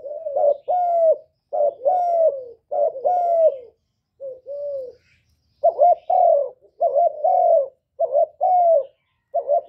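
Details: Spotted dove (cu đất) song recorded live to stimulate kept birds; a long run of hollow paired coos, short then longer and falling, about eight phrases with one brief pause midway.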